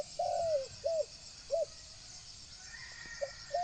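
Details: Spotted dove decoy call used to attract wild doves: a long hollow coo followed by short separate coo notes at uneven intervals. A steady shrill insect hum fills the background.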